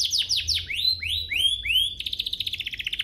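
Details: Canary song meant to prompt other canaries to sing: quick descending sweeps, then rising slurred whistles repeated about twice a second, ending in a fast, even trill.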